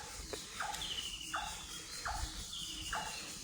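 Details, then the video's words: Birds calling at dawn in heavy fog covering the whole area, short abrupt downward notes repeated about every seven tenths of a second with a thin high drawn whistle behind, over a constant hiss of insects. "ভোরের ডাক | পাখির কলকাকলি"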